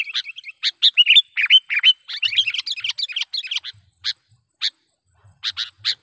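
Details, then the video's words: Sooty-headed bulbul lure call for trapping: fast, busy chattering of short chirps and slurred whistles for about four seconds, then a few widely spaced sharp chirps. "suara BURUNG KUTILANG PIKAT gacor / pikat kutilang gacor dengan suara panggilan kutilang gacor"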